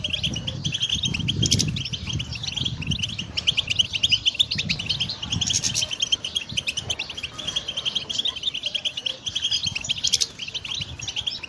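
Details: Goldfinch song played for training songbirds: a rapid, continuous twittering of high, liquid chirps and trills, dense and unbroken throughout, with soft low thumps underneath.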